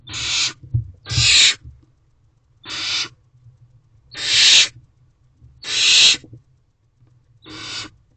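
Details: Barn owl chick in an owl box, dissatisfied and hungry as its parents fail to arrive with food; six rough hisses of about half a second, repeated every one to one and a half seconds, low rumble behind.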